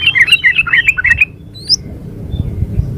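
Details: Female sooty-headed bulbul calling to a male, a lure sound: one fast burst of about eight bright, chirping notes lasting just over a second, then a faint high whistle and low background rumble.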